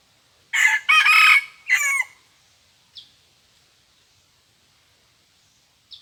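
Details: Red junglefowl crowing at a decoy-luring spot, reported to crow twice only: a loud, coarse three-syllable crow of about one and a half seconds, then two brief high chirps, with an otherwise silent background.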